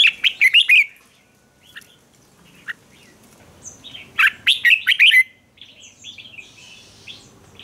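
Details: Competitive fighting song of a red-whiskered bulbul, meant for training birds; two bright, rapid phrases of rich warbled whistles about three and a half seconds apart, with faint scattered chirps between them.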